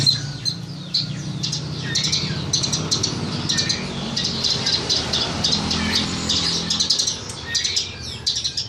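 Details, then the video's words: Horsfield's bush lark tutor song for training birds: a dense, scratchy stream of high clicks and chirps, nearly continuous, with a faint low rumble behind. "Burung Branjangan masteran"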